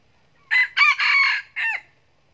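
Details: Red junglefowl crowing, linked to junglefowl trapping: one loud, harsh crow in four bursts, a short note, two longer strained syllables, then a clipped falling final note, against near silence.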